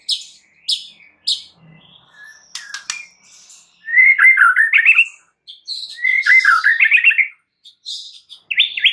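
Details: White-rumped shama of champion quality singing to provoke other shamas into singing; high chips and sharp clicks lead into two long, loud warbling phrases of rapid fluting notes, then a few short whistled notes.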